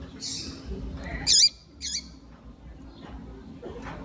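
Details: Calling female double-collared seedeater, used to stimulate a male: a brief high squeak, then a double note and a second squeaky call, over steady low background hum.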